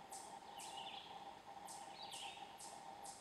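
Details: A mourning warbler sings at first light, in very low light inside eastern hardwood forest in Argonne Experimental Forest, northern Wisconsin: quick, slurred downward notes, about two every second, over a steady insect-like drone.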